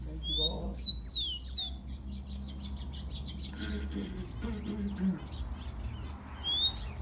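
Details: Song of a rufous-collared sparrow, used to stimulate captive tico-ticos: a rising whistle and two loud downward-sweeping notes open the clip, then quieter chips and murmurs, and another rising whistle near the end, with steady low hum.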